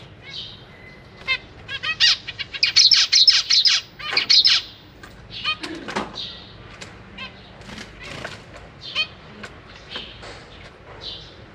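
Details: Captive zebra finch family, newly hatched babies fed by parents; a loud two-second burst of crowded harsh begging chatter, then scattered nasal beeps and quieter hisses with long gaps.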